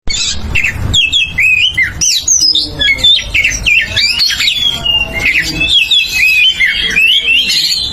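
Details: Oriental magpie-robin in a ngeplong-style song meant to prompt other magpie-robins into singing: loud, varied whistled phrases with sliding, rising and falling notes and harsh squawky bits, delivered almost continuously.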